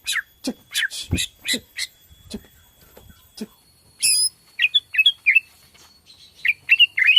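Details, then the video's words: Borneo white-rumped shama singing, intended to provoke other shamas to sing: a series of harsh, raspy chattering notes about three per second, then a high sharp call followed by quick twisting whistled notes. "PANCINGAN BORNEO GACOR SANGAT AMPUH UNTUK MERANGSANG BUNYI MURAI BATU LAIN"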